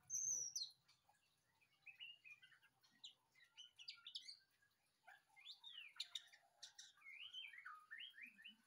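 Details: White-rumped shama song: rich, varied whistled phrases in quick succession. Some notes sweep sharply down, others warble. The phrases are loud and come almost continuously, with a high thin note at the start.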